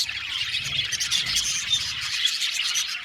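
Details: Budgerigars in an aviary chattering nonstop, a short stretch of dense, high, scratchy twitters from many birds over a faint low hum.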